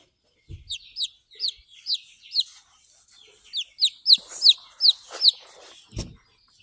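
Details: Young Buff Orpington chick, hatched 17 April 2023 and recorded 28 April 2023, peeping clearly: shrill falling notes repeated quickly, roughly two or three a second, with a short pause mid-clip and a knock near the end.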